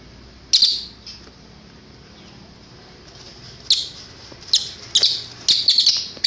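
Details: Cililin, used as a tutor recording for teaching caged birds: short, sharp, high chirping bursts, some single and some in quick clusters, separated by pauses over a low steady hum.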